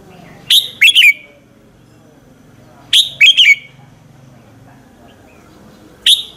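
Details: Red-whiskered bulbul morning lure song for training other bulbuls; bright three-note whistled phrases repeated about every two and a half seconds, quiet between.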